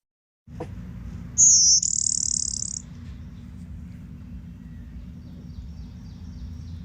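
A Blue-winged Warbler gives its two-part song: a thin, high first note, then a longer, dry buzz, over a steady low rumble.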